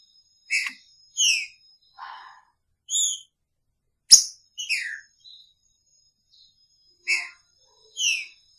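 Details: Caged green-winged saltator with its female, picharro song: rapid run of loud whistled and downslurred notes, a lower buzzy note and a sharp click, then more whistles after a pause.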